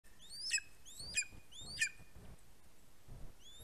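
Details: A greater spotted eagle chick, on 11 August 2020 as it fledges from the nest, gives three thin, high whistled chirps, each sliding upward, about one every two-thirds of a second; a faint fourth follows over low wind rumble.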